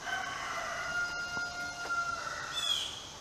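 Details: On a quiet morning on Assateague Island, Maryland's Eastern Shore, in summer, a neighbour's rooster crows once from across the road, a long harmonic call held about two seconds, followed by a brief high chirp from another bird.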